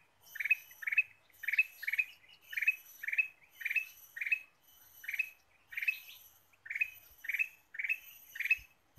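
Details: Ruby-throated bulbul pikat song: a rapid, almost continuous run of paired chirpy bursts, over a dozen in nine seconds, loud and bright with faint higher overtones and a couple of soft knocks near the end.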